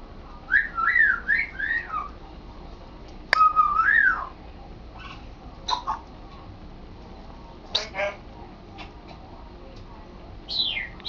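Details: Pet male African grey parrot practising talking; a string of wavering whistled notes, a louder arched whistle, scattered clicks and speech-like syllables, ending with a high falling whistle.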